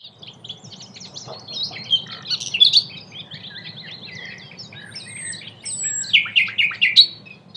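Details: Common nightingale of the nominate subspecies, recorded in May 2016 at Cattenom, France, singing varied phrases of high chirps, trills and short whistles in bursts, with a steady low hum underneath.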